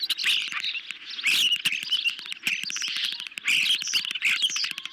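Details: Ospreys at their nest during a late-evening fish delivery on 10 July 2021, caught on a nest cam; high chirping calls come in rapid bursts, overlaid with busy crackling and tapping sounds.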